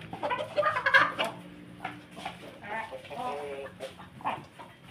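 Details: Ayam Ketawa laughing chicken among a family of Pelung Bangkok chickens: a loud rasping harmonic crow opens, then stuttering clusters of short laughing syllables come in rapid uneven bursts, with a faint steady hum behind.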